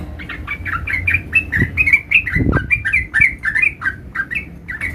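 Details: Sooty-headed bulbul, a young bird learning to roll its song: a steady, continuous stream of quick slurred chirps, some notes dipping then rising, repeated several times a second with faint low thumps underneath.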